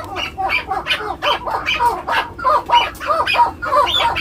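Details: Young male chukar partridge, seven months old, kept in captivity, calling in a rapid series of hoarse, cackling chuck notes, about one and a half per second, rising and falling in rhythmic pulses.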